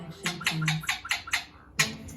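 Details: Pet parrot indoors whining dramatically after not getting a treat: a quick series of about seven short, rasping, nasal notes, each about a fifth of a second apart, with a pause before one final louder note.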